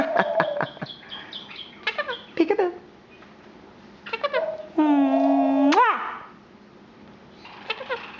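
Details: A female monk (Quaker) parakeet, almost 3 years old, mimics human words like "bye-bye" and "peekaboo" in a raspy, speech-like voice with short clipped syllables.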